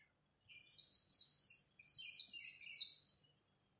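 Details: Japanese white-eye singing in competition at dawn: rapid high twittering phrases in four bursts, each a run of fast descending warbled notes, with short pauses between.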